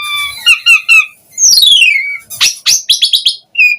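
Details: Asian pied starling song used to draw replies from other starlings: a few harmonic squawky notes, a long descending whistled slide, then quick sharp chirps and a final short whistle.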